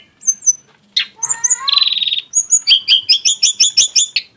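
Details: Lesser shortwing burst song: two high whistles, a sweeping upslur, a dense buzzy rattle, then a crisp rapid series of about a dozen evenly spaced bright chirps.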